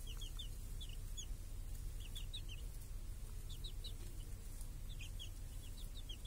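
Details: Young chicks with hens in a village, out under a cage guarding them from crows and hawks on a clear summer day, give thin, high descending peeps in small rapid groups separated by short pauses.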